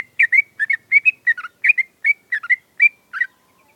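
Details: Adult sooty-headed bulbul kept caged in Indonesia, set out in the morning dew and sun to get it singing: a lively run of short bubbly whistled phrases, rising and falling, about a dozen notes in under four seconds, clear background.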